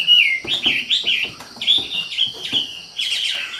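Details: Wambi in energetic song, loud slurred whistled phrases broken by short clicky notes, a rapid chattering warble that ends in a burst of higher notes.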